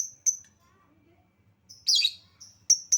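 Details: Lovebird lure sound for making lovebirds sing: a few piercing high chirps separated by quiet gaps, with one short harsh raspy burst in the middle.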